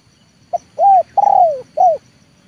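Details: A trained spotted dove of the leopard type calls to lure wild doves to the ground. It gives a single phrase of four coos, a tiny note, a swelling coo, a drawn-out falling coo and a clipped ending coo.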